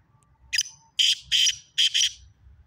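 Black francolin giving a harsh, grating phrase: one short scratchy note, then four loud rasping notes in two quick pairs, over faint background hum.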